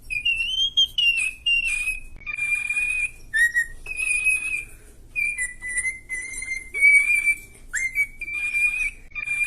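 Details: Pet cockatiel whistling the tune Let It Go from Frozen: clear, pure whistled notes held and stepped between pitches, phrase after phrase, with brief breaks between them.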